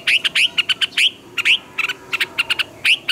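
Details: Red-whiskered bulbul in full morning song with twisted double notes, used to train caged birds; quick clear whistles sweeping upward, mixed with short sharp chips in a lively, uneven stream.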